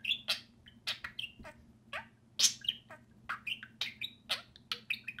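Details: Two pet budgerigars playing and talking during time outside the cage, giving rapid sharp chirps and warbled chatter with short buzzy notes, irregularly spaced, over a faint steady low hum.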